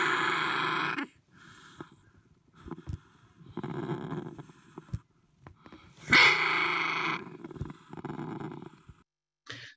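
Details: Older Double Yellow-headed Amazon chicks in the nest, growing into the later nestling stage, give loud, harsh, raspy screeches about a second long, repeated with brief pauses and softer grating notes between.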